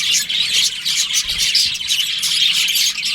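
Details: Budgie colony in breeding season: loud, crowded chirping with bright whistled twitters and rapid warbles from many birds at once, hardly a gap.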